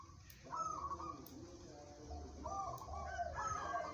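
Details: Local zebra dove song for competition: after a short pause, a bursting trilled coo slides downward, then another phrase of vibrating, bubbling notes begins, with low hum behind.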